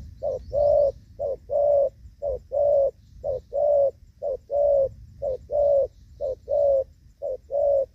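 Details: Spotted dove cooing in the 'gù vấp' manner during decoy trapping in the rainy season, 23 July 2024: very regular low coos, a short note then a longer one, repeated evenly about once a second over a faint rumble.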